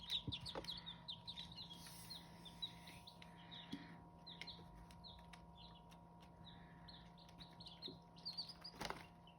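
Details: Chicks of the Hmong chicken breed cheeping in short high notes, busiest at the start and end, with occasional clatters and a continuous low drone.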